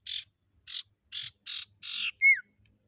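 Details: Ashy tailorbird lure song: five harsh buzzy notes spaced about half a second apart, the last one longer, then a single loud clear whistle slurring downward.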